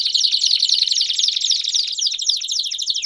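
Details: A Belgian canary in full, loud song delivers a dense, buzzy, very high trill. Rapid notes tumble in quick succession, shifting slightly in pitch as the phrase runs on.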